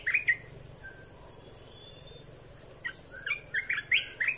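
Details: Red-whiskered bulbul singing, a recording used to train young birds and make birds excited: a short warbled burst opening, a pause, then a string of quick, bouncy whistled notes rising and falling, steady background hum.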